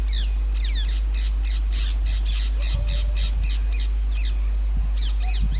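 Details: Rose-ringed parakeets at their natural nest holes in old railway bridges during summer breeding: an almost continuous string of loud, harsh, arched screeches roughly three per second, pausing briefly before a final pair, over a low hum.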